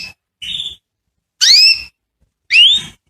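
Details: Canary singing to attract females for mating, giving a few separate clear whistled notes, the later ones sweeping upward, spaced about a second apart with silence between.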